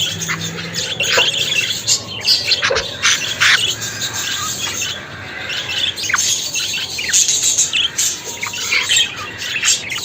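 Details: Budgerigar chatter: dense, continuous warbling with rapid squawky chirps and short buzzy notes tumbling over one another for the full ten seconds, with no pauses and no other sounds.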